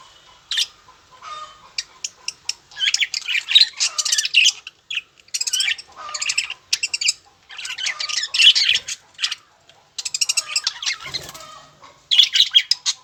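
Budgerigars chatter in scratchy bursts, mixing harsh squawks with quick high chirps.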